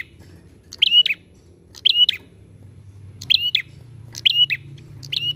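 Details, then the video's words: Bar-winged prinia calling busily, used as a lure to set other prinias singing. Bright, high paired chirps come roughly once a second, some spaced irregularly, over a steady low background rumble. "PANCINGAN PRENJAK GACOR AMPUH!"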